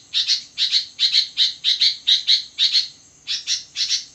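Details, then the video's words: Sooty-headed bulbul in full voice in the middle of the night, giving evenly spaced double chirps, sharp and scratchy, about two pairs per second, with one brief pause midway and a thin constant high tone behind. "burung kutilang gacor di tengah malam"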